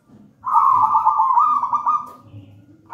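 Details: Vigorously singing zebra dove, a wild local bird from a nest in a plantain plant, giving one long rolling, vibrating coo lasting about two seconds, with the start of another phrase at the end. Soft low rumble behind.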